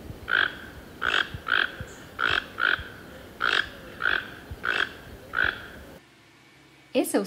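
Toco Toucan giving deep, harsh croaking notes, about ten in six seconds, often in quick pairs; a person's voice begins just at the end.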